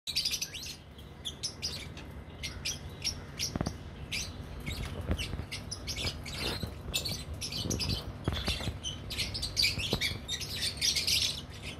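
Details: Captive lovebirds in a breeding colony giving a steady stream of high, sharp chirps and squeaky notes from several birds at once, with a low background rumble and occasional wing flutters.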